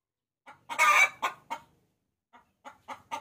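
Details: Hen calling a rooster, used as a lure sound: one soft note, then a loud harsh broad squawk, two shorter clucks, a pause, and a run of quieter clucks growing louder at the end.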